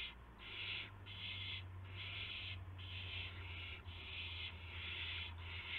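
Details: Owlets in a nest after midnight on March 19, 2016, during prey deliveries of a gopher and mice; harsh hissing screeches repeated about every second, each burst roughly half a second long, over steady low hum.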